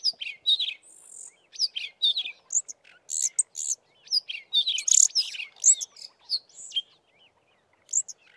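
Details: Four or more Fiscal flycatchers singing with tails fanned in a valley near Committees Drift: a busy jumble of high, thin chirps and short warbled phrases overlapping in quick bursts, with some apparent mimicry of sparrow chirps.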